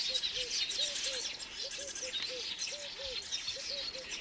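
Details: Busy high-pitched chatter around a weaver bird building its nest, a steady wash of twittering voices over a run of low, soft arched notes repeated about four per second.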